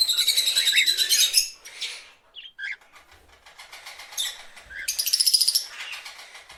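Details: Several parrots chirring in fast rattling trills, high-pitched and buzzy, with a few harsh squawks in between.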